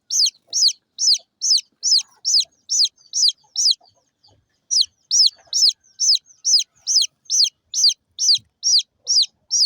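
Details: Small local chicken chicks chirping continuously: high, piercing peeps that drop in pitch, evenly spaced, with a short pause midway before the series resumes.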